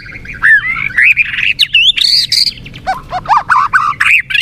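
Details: White-rumped shama, a popular cage bird, singing rich rising whistles followed by a quick series of loud, evenly spaced slurred notes repeated about four times a second.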